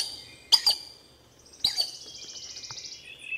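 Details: Collared aracari in Costa Rica: two sharp, high, squeaky double notes about a second apart, each a quick pair of clicks, with a buzzy insect trill and soft chirps in the background.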